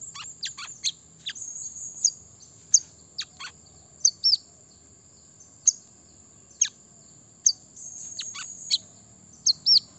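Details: Brown-throated sunbird calling to challenge rivals: scattered high chirps and fast falling sweeps, singly or in short pairs, spread irregularly across ten seconds over a soft low rumble and a thin high whistle.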